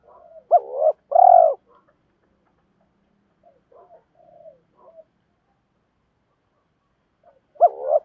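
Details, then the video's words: Spotted dove decoy challenging rivals and calling wild birds in; a loud two-part coo at the start, quiet soft notes in the middle, and another coo beginning near the end. "tiếng chim cu gáy thúc đấu và gáy gọi, chim cu mồi gáy gọi bổi nghe rất nhanh về cội, cu đất gáy"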